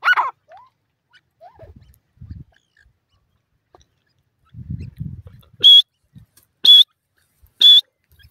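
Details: Wild francolin chicks in a forest, being fed by their parents: three loud, high, thin peeps about a second apart, after soft rustling, scratching and a few faint short notes.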